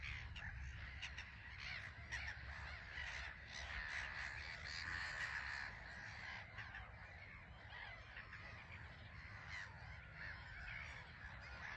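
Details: Black-headed gull colony on a small marsh island at Frampton Marsh reserve, many birds flying in and out; continuous chorus of raucous, rasping calls, several clearer drawn-out screeches midway, over background wind noise.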